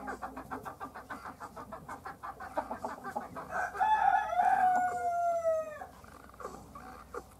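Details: A hen laying an egg gives a fast run of short rhythmic clucks, about four per second, then a long, loud, drawn-out tonal squawk that slides slowly downward before fading.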